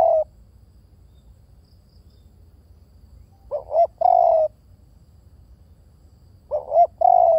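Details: Repeated cooing of a spotted dove. A phrase clipped at the start is followed by two full phrases about three seconds apart. Each has a short double hoot and then a sustained falling coo. Faint low background hum.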